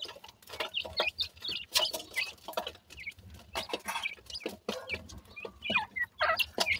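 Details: Several grey francolin chicks give rapid thin peeps, some bent or slurred, mixed with dense clicking, tapping and rustling throughout.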